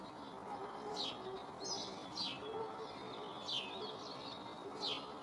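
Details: Blue tits, a pair in early spring inspecting a nest box on a garden shed; high downward-sweeping chirps come in small bursts every second or so against constant low noise.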